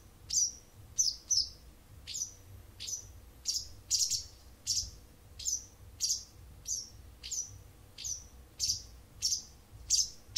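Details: Wild bird that sings to an indoor cat each morning and evening for nearly a month gives a long run of about sixteen high, clipped chirps at slightly uneven intervals, each note sharp and briefly falling, over a faint low hum.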